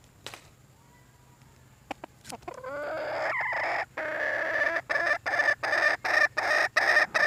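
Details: Red junglefowl hen calling for a mate: scattered clicks and a rising squeal give way to a sustained harsh, nasal tone that breaks into a fast, even series of loud repeated notes.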